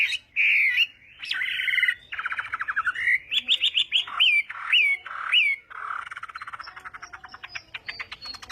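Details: Chinese hwamei morning voice training for contest singing: long whistles, a fast rattling trill, then three matching up-and-down whistled notes about half a second apart, fading into faster chatter.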